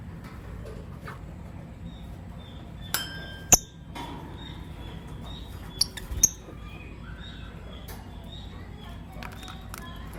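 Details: Lovebirds, a green Personata and a pastel white, chirping in the morning; scattered sharp high chirps, single and in a quick pair, over steady background noise with a faint repeated whistle-like tone.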